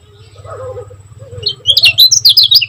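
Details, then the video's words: Lemon-bellied white-eye (kecial kuning) from Lombok bursts into quick high twittering after a quiet start of low hum and faint murmur, with the notes fast and jumbled. "Kecial Kuning Gacor Speed Rapat Buat Masteran Ampuh || Suara Burung Kecial Kuning Lombok Juara"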